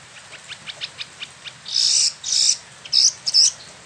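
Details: Caged spot-throated babbler in Bandung, Indonesia, a freshly moulted bird imported from China and Vietnam, singing: a run of soft, evenly spaced clicking ticks, then loud, high, harsh bursts of song.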